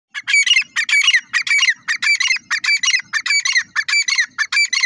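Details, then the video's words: Grey francolin, known locally as teetar, calling in a loud, rhythmic series of harsh, squeaky notes grouped in clusters, repeated roughly every half second with no other sounds. "teetar ki awaz,teetar francolin voice"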